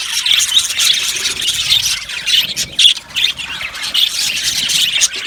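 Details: Colony of Australian budgies chirping in an aviary, busy high twitters and harsh squawks that surge and dip briefly.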